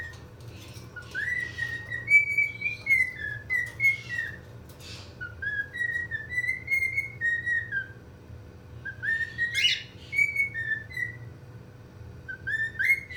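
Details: Pomegranate, a Cockatiel awaiting rehoming at a parrot rescue near Charlotte, North Carolina, whistles wavering, sliding phrases broken by short chirps and clicks, over a faint indoor hum.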